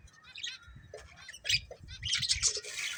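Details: Breeding pair of budgies chirping: quick bright chirps and buzzy squawks that grow denser and louder toward the end, ending in a rasping burst of chatter.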